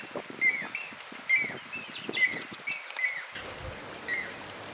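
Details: Nest-building southern masked weavers, a male knotting grass strips in Mopani Rest Camp, Kruger National Park, in November 2010. Fast squeaky chirps and buzzy twitters repeat roughly every second over a soft background hiss.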